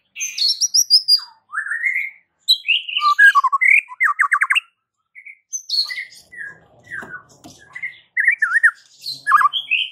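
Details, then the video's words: Varied whistled song of a white-rumped shama: sweeping slurred notes, a rapid trilled run, then looping warbled phrases after a brief gap, with a faint low rustle in the middle. "Suara uniknya jadikan MURAI BATU sekampung NYAUT GACOR dak MAU DIEM"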